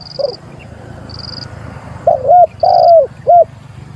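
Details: Spotted dove calling out a rival, three mellow coos near the end after a quieter start, with a thin high electronic beep repeating in the background.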